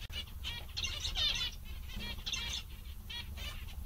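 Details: Cheerful zebra finches giving bursts of nasal, harmonic buzzing calls with short gaps between groups, over a low continuous hum.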